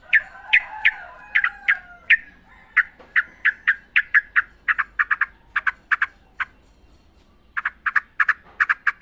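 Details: Wild yellow-vented bulbul, recorded as a lure for training caged birds: a long series of sharp, clipped chip notes repeated irregularly, about three per second at times, with a brief pause near the end.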